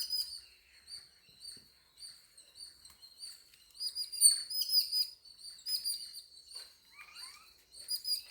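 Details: Quieter home recording of birds giving short, repeated high chirps in clusters, rising to a livelier patch of twittering in the middle.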